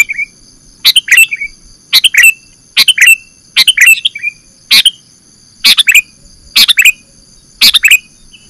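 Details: Sooty-headed bulbul (kutilang) calls used as a lure for catching birds: a sharp click followed by a short, bright downslurred chirp, repeated about once a second with brief gaps. A faint steady high tone hums underneath.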